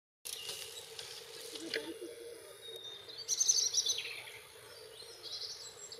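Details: Male European robin singing vigorously: thin, high, tinkling notes run into a quick, wavering warbled phrase, set against a steady low hum and faint rustling.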